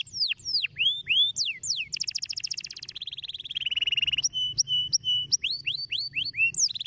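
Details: Stimulating canary song opening with quick downward-curving whistles, then a dense high buzzy roll, a lower rapid trill, level held notes and repeated upswept chirps, phrases changing every second or two against a quiet background.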